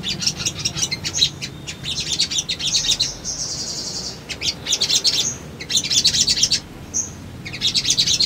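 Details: Sunbird lure song for newly caught birds, played to draw a response: high twittering phrases alternating with a steady buzzy high trill and short clear whistles, with brief silences between phrases.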